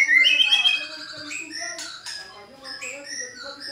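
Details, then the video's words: Singing white-rumped shama, a lure recording meant to make a caged bird reply: a bright warbled phrase opens, followed by scattered high whistles and short chips, all over a faint constant low drone. "PANCINGAN MURAI BATU GACOR pasti nyaut BONGKAR MATERI bila murai batu anda dengar SUARA ini"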